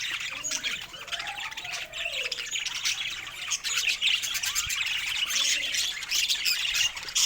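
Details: Pet budgerigars chirping in a happy mood: dense, continuous high twittering and scratchy warbles, overlapping chirps at a fast uneven rate, with a few lower soft squawks beneath.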